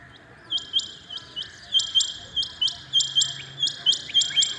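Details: Early-morning call of a rain quail: high, ringing metallic notes that start softly and then grow louder and more regular, spaced about a quarter second apart.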